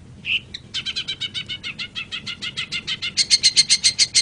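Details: Long-tailed shrike, recorded as a master track for training songbirds: one short nasal note, then a rapid, even string of rasping chattering notes that grows louder and higher toward the end.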